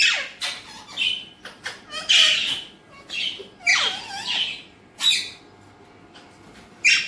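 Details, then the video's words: Captive Alexandrine parakeet delivering repeated rough, rasping squawks, some with downslurred tails, in bursts about a second apart, ending with a sudden loud squawk. "Alexandrine talking parrot"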